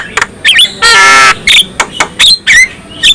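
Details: Black-winged myna song that provokes other black-winged mynas to sing: loud harsh squawks alternating with a long raspy buzz and sharp whistled notes bending up and down, in short bursts.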